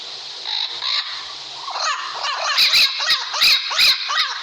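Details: Parrot giving a run of harsh, squawking calls, each a rising-falling arched note, repeated about three per second, with a noisy hiss in the background.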